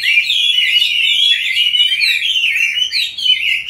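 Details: Short burst of captive Chinese hwamei song: bright, tightly packed whistled trills and slurred notes run continuously at high volume, with one brief dip near the end. The bird was taken as a wild adult and kept five years.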